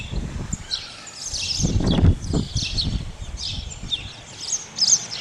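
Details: Sturnus unicolor, the Spotless starling: scattered high chirps and whistles, fairly soft and irregular, interrupted around two seconds by a loud low rumbling burst of noise.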